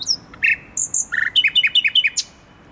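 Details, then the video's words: Song of a thrush nightingale recorded 28 June 2021 near the Palace of Culture and Science: a high whistled phrase, short clear notes, then a rapid string of six repeated falling chirps ending abruptly, with quiet low hum underneath. "Koncert słowika szarego pod Pałacu Kultury i Nauki"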